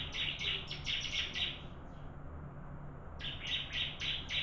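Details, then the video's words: Contest singing by bar-winged prinia: a quick series of bright, clipped high notes, a pause of about a second and a half, then another rapid run of the same notes. "Burung Ciblek Adu Suara"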